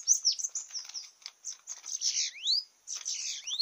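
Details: Dense, continuous high buzzy chatter from a Bananaquit (sibite) in a campiada singing contest, broken by several dipping-then-rising whistled sweeps.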